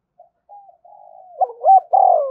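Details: Spotted dove building into a thúc gù phrase, used to stimulate decoys: soft steady low murmuring notes rise into a bubbling upslur pair and a loud, long, descending coo that is cut off.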